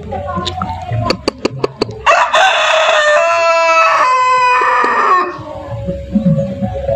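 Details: Rooster crowing in a yard: a few sharp clicks, then one long loud harmonic crow lasting about three seconds, holding steady and dropping at the end, with faint clucking after.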